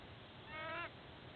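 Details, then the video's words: At Sydney Olympic Park, Australia, a white-bellied sea eagle on its nest during incubation gives one nasal, slightly rising honk before dawn on 29 July 2024, caught by a nest camera against constant background hiss. "Sydney WB Sea Eagles 🦅 Pre-dawn Honking"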